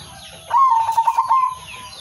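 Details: Local male zebra dove, a lure bird calling rivals; a single burst of trilled, rolling cooing lasting about a second, with faint chirps of other birds.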